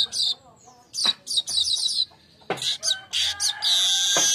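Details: A weaver singing busily by day, a lure and master recording: dense bursts of dry, scratchy chattering notes, several runs close together, ending in a steady sizzling buzz.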